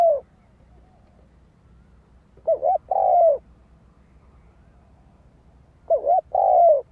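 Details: Spotted dove lure bird singing to attract wild doves; a coo phrase of a short note, a quick double note and a long sustained coo, given twice about three and a half seconds apart, background otherwise quiet.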